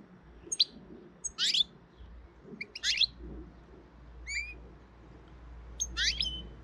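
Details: European goldfinch filmed in early April while trying to intimidate another goldfinch: scattered high, sharp twittering calls and a few short bright notes, spaced irregularly over quiet background noise.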